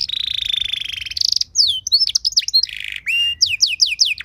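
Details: Canary in ornate cengkok mewah song, used to get other canaries singing: a long rapid pulsed trill, a buzzy burst, jumbled quick twitters, a harsh buzz, then rising sweeping whistles.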